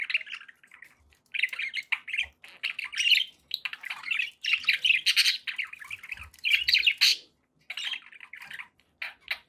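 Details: Several happy pet budgies keeping up a long, rolling chatter of buzzy warbles and quick chirps, pausing briefly before a last burst.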